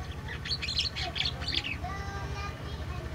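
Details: Caged black-winged myna, bought from a bulk cage at a bird market and kept about a week, still in its early twittering stage: a quick run of scratchy, chattering high notes in the first second and a half, then quiet with low hum.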